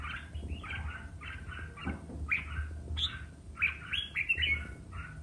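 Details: Red-whiskered bulbul singing competitively, fired up: short mellow warbled notes give way to louder, sharper whistled and chirping phrases, with a low background hum.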